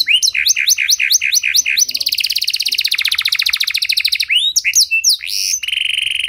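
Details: Canary with a long-duration cengkok song, used to stimulate stalled canaries to sing: rapid chopped notes, then a long fast rattling trill, then varied swooping whistles and a steady held tone.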